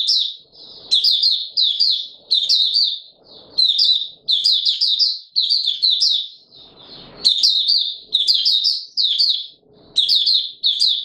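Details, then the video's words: White-eye in warm humid weather delivering long bouts of song: high, rapid, jumbled twittering phrases with brief gaps, rhythmic accented bursts over eleven seconds, and soft low knocks in between. "Mata Puteh Raja Video 1 buka sing warm humid weather"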